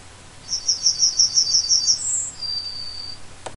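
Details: Song of a yellowhammer: roughly eight rhythmic high chips, a quick higher note, then a long held note at the end, followed by a sharp click; low steady hum throughout.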